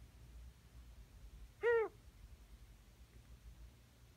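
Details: Unusual vocalization from a pet female Ringneck dove nearly a year old: a clear, loud, short arched note with strong harmonics, sounding just once in an otherwise quiet indoor setting.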